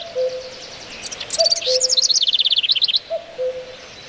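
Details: Birds in a natural setting deliver a rapid, high, pulsing trill with sharp introductory notes, while a low hooting note repeats at intervals beneath it.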